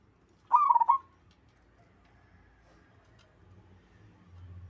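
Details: Zebra dove of local wild stock giving one rapid phrase of soft, rolling staccato coos near the start, then quiet with faint low background rumble.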